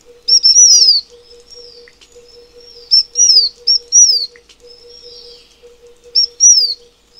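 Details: ['Taiwan fulvetta, endemic to Taiwan and found in high mountains, repeating quick high phrases of short notes and bright down-slurred whistles, four phrases in seven seconds, with a soft low hum beneath.']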